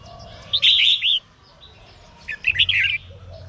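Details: Female red-whiskered bulbul singing to stimulate males to sing: two short bursts of bright, warbled notes, the first around half a second in, the second near two and a half seconds, separated by a quiet gap.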